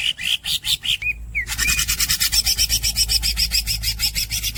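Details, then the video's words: Masteran recording of a greater green leafbird (green cucak): a few squeaky chips, two short rising squeaks, then a long, continuous rasped roll of rapid pulses, with a low hum underneath. "The real green cucak masteran bird squeaks and long rolls"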